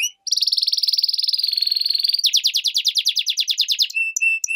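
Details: European goldfinch and canary hybrid singing a clean studio-quality phrase: a long buzzy trill, then a run of rapid descending chirps, ending in short clipped whistled notes.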